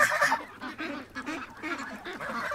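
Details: A domestic goose pecks and chews at a boot. It gives short, loud nasal honks in quick bursts, with softer answering calls from other fowl between them.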